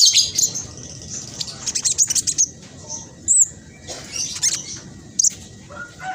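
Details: Black sunbird with speckled plumage giving its rapid, dense song, meant to coax silent birds into singing: very high, thin twittering bursts with short gaps, a bright looping squeak mid-way, over faint background hiss.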